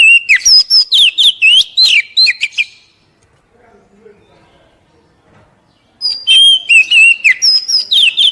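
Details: Captive-training recording of Oriental magpie-robin (kacer) poci song to get wild-caught birds singing; a fast run of looping whistled notes, a three-second pause with faint low background sound, then another rapid whistled burst.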